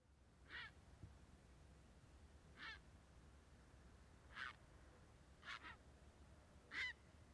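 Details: Grey heron giving five short, harsh, rasping calls spread over about seven seconds, each a brief broadband burst, irregularly spaced, over a quiet low background hum.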